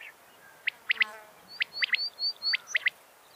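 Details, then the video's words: Quail calling in the morning: sharp, high chirps in quick pairs and short bursts, mixed with brief thin whistles, against a quiet background. "morning quail | morning Batair | bater Ki awaaz subah wali"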